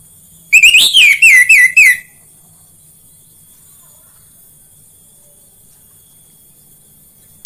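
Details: Orange-headed thrush song used as a lure to make pet orange-headed thrushes sing: one quick burst of about five loud, wavering whistles lasting a second and a half, followed by long silence.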